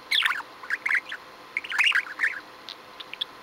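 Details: Pet budgerigar, a single budgie filmed on 6 February 2015 during an especially chatty day, giving soft warbling chatter of scratchy chirps and brief squeaks in loose bursts, with a faint background hiss.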